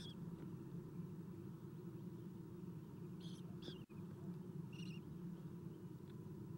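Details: Morning feeding of Eastern screech owl owlets at a nest on 11 April 2016, 7:04 am, via nest cam; a quick pair of rough rasps, then another, over a steady low rumble with one brief dropout.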